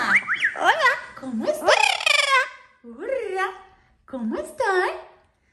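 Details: A pet Amazon parrot, a talking bird, gives rich, voice-like whining cries that swoop up and down in pitch, in three bursts over five seconds; crying because it was not taken outside.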